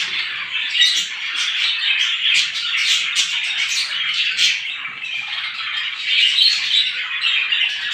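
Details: Numerous small birds chirping in the morning; a thick, restless twitter of overlapping high notes with clusters of sharp squeaks in the middle seconds.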